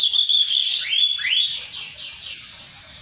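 Reed warbler song: a held high whistle, then quick upward-sweeping notes and harsher chattering phrases, fading toward the end.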